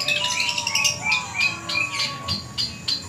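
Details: Long-tailed shrike, locally called cendet, singing its varied thousand-voice song: rapid scratchy phrases, a short rising whistle, then evenly spaced sharp chips about every third of a second, with a faint low hum behind.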